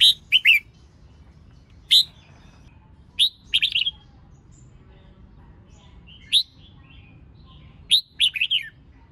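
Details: Female red-whiskered bulbul singing to stimulate males, giving short clipped chirps and brief two- or three-note phrases at irregular intervals over about nine seconds.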